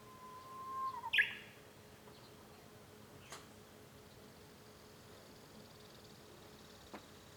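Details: Japanese bush warbler heard from a home room, 5 May 2013: a short, level whistle followed by a quick, sharp flourish. Then quiet, broken by a couple of faint clicks or taps.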